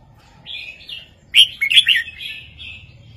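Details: Caged red-whiskered bulbul delivering a southern 3-4-5 master song for training birds: a soft whistled lead-in, then a loud, rapid, liquid chirping phrase that trails off into quieter warbles.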